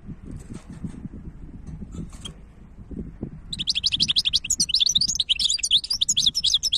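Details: Goldfinch hybrid: after three seconds of quiet low noise with faint high ticks, a loud, rapid, jumbled twitter of trills and buzzy notes begins and continues to the end.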